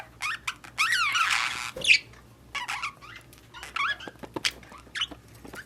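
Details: Budgies in breeding season, scattered short chirps and wavering whistles between quiet gaps, with a low steady hum beneath.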